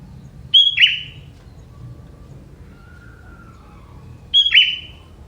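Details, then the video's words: Young wild forest sooty-headed bulbul singing with prenjak (prinia) phrases. Two bright whistled phrases, each a high note sliding into a short falling twitter, separated by about four seconds of quiet. A faint lower whistle drifts in between. "Burung Kutilang Muda Hutan ini, Isian Prenjak"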